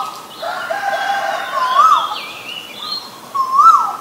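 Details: Asian koel calling twice, each a short whistled note that climbs and drops, about two seconds apart, over steady chatter from other birds.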